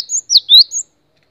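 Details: Gelatik batu (cinereous tit) masteran song fragment: a high sliding whistle falling sharply, followed by a rising sweep and a short upper note, clear and isolated.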